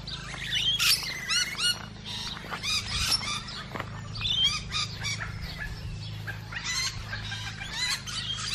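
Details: Musk lorikeets feeding: a busy chorus of shrill, screechy chirps and arched high notes, overlapping rapidly throughout, with a low steady hum underneath.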